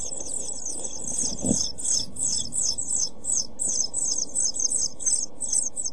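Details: European pied flycatcher nestlings aged seven days, begging in a nest box on 23 June 2012; shrill high cheeps pour out in fast clustered bursts, with a low thump near the start and soft rumble.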